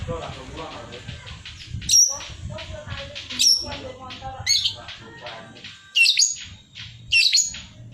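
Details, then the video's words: Long-tailed shrike in energetic full-fill song meant as master material for contest birds; soft busy chatter broken every second or so by loud, harsh, piercing high shrieks. "cendet gacor full tembakan 🔥 isian"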